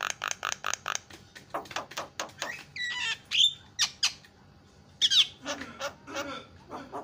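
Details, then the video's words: Javan myna, described as a champion singer with a very loud, senior-style song, used as a training recording: harsh squawks, rapid buzzy notes and sharp whistled upslurs in irregular bursts, with short pauses between phrases. "JUARA KICAU JALAK KEBO PALING KRREENN"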